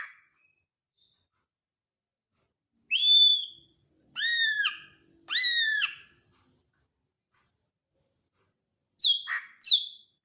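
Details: A greater green leafbird gives three clear whistles with bright overtones, each rising then falling. After a silent gap come two quick, sharp, descending chirps.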